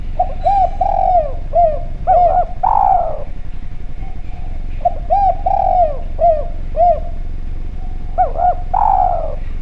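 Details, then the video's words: Vocal spotted dove from Java giving its lure call: repeated phrases of short, rounded coos, each capped by a louder, stretched descending coo, phrases roughly six seconds apart, with a low constant hum behind. "Derkuku Djawa Gacor Suara Bening, Spesial Suara Pancingan"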